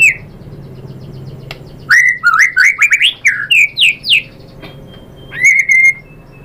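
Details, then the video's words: White-rumped shama in full song as a lure to get rival shamas answering, displaying mimicked phrases: a brisk run of varied whistled notes that jump up and down in pitch, then a pause and a clear sustained whistle. "MURAI BATU jadi ikutan NYAUT GACOR BONGKAR MATERI ISIAN ¦ PANCINGAN MURAI"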